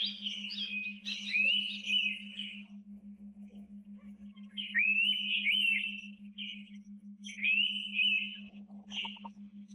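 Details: Indian pitta calling in natural tropical forest habitat: drawn-out rising whistles that wobble near the top, given in bursts of about a second with pauses between, over a faint steady low hum.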